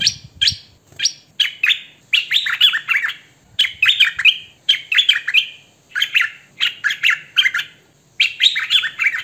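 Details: Hwamei giving "thơm mồi" song, filmed by phone: many short, separate bursts of harsh notes mixed with tumbling whistled slurs, with brief pauses between them throughout.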